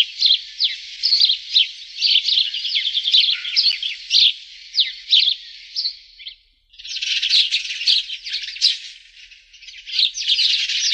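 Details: Sparrow song as a long run of sharp, high chirps over steady twittering, then a short pause followed by a denser burst of rapid, buzzy chatter.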